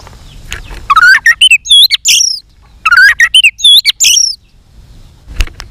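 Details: Fired-up white-rumped shama singing a combative fighting song with tail-flicking. Two dense bursts of rising whistles and warbled slurs are separated by a short pause. A few faint clicks follow at the end.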